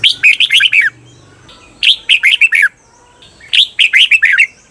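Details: Red-whiskered bulbul singing for training caged birds in the long doubled 'bernle' style: three bright phrases of about six quick descending whistled notes, repeated roughly every two seconds, with a faint low hum between.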